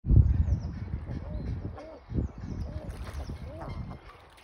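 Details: Common eiders at WWT Washington give soft, low, crooning 'ah-ooo' ('woooo') notes, each rising then falling, four or five in quick succession over a low rumble of background noise.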